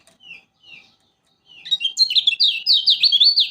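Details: A Lombok yellow flowerpecker gives a few soft downslurred notes, then launches into a loud, quick, continuous omyokan twitter of high zigzag notes, a recording meant to get quiet birds singing.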